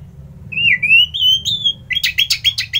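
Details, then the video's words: Orange-headed thrush, a kept songbird in Bali, Indonesia, singing in the morning: a long drawn series of clear, slightly wavering whistles gives way to a fast stuttering burst of short, sharp, repeated notes. "Merdu Kicauan ANIS MERAH Gacor"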